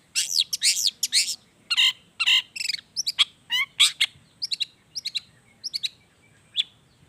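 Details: Long-tailed shrike in full lively song filled with wild-bird phrases, used as a lure to set reluctant shrikes singing; dense bursts of high, looping chirps and sweeping notes, then spaced sharp whistles tapering off toward the end.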